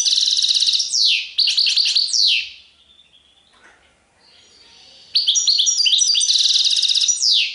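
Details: A goldfinch singing serfati tiwawati: buzzy trilled phrases and steep falling whistles, then a quiet gap of about two seconds, then a renewed stream of rapid tinkling twitters.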